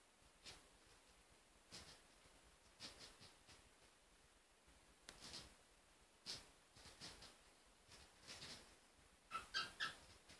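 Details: Sleepy cockatiels grinding their beaks: soft, scratchy clicking bursts repeated every second or so.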